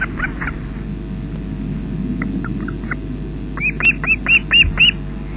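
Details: Osprey nest webcam at Loch Garten, Scotland, 20 June 2012, adult arriving with fish for chicks: faint scattered chirps build into a loud closing series of six shrill, arched whistles above a background hum.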